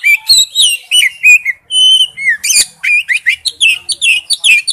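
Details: Male oriental magpie-robin calling to a female: rich mix of slurred whistles, a long steady whistled note and quick scratchy rising phrases in close succession.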